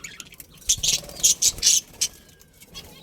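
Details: A budgerigar breeding pair from a colony makes four or five loud, harsh, high chirps in quick succession, then one shorter note, against quieter background chatter.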